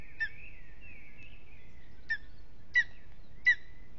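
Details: Lesser spotted eagle, restless at its aspen nest in Aizkuja, Latvia, in the evening: four short, harsh yelps, the last two louder. A drawn-out whistling from another bird is heard near the start.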